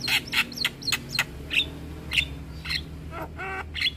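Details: Javan myna song filled with varied notes: short squeaky whistles and chirps roughly every third of a second, a buzzy rattling note near the end, all over a steady low hum.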